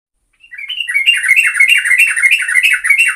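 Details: Yellow-vented bulbul singing actively, a lure recording to draw other birds: after a brief silence, a rapid run of bubbly, warbled notes rising and falling, continuous and lively, with bright upper overtones.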